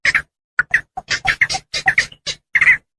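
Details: Hunting lure sound for Javan pond herons: rough, scratchy squawks delivered in quick pairs and triplets, ending with a longer, louder harsh note.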